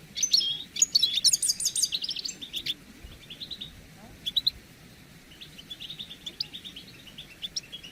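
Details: European goldfinches in a group chorus meant to excite males into singing: an opening flurry of loud, liquid twittering and trilled notes, then sparser chirps, a brief lull, and renewed scattered tweets.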